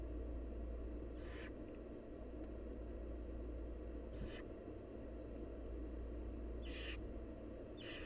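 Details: Begging wild barn owl chicks at feeding time with their mother: scattered breathy, hoarse screech bursts, a lone one early, one mid-way and a close pair near the end, against a low continuous hum.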